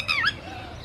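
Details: Red-wattled lapwing giving an alarm call after losing its chick: a single brief, loud, shrill note sliding downward, then a second short rising note, followed by quiet background.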